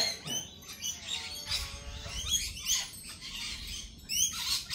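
Lorikeets give harsh, high-pitched screeches and chattering squawks in overlapping bursts, with several birds calling at once and a brief lower rasp near the start.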